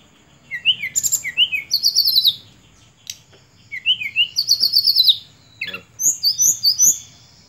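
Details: Sunda robin (Myiomela diana), song.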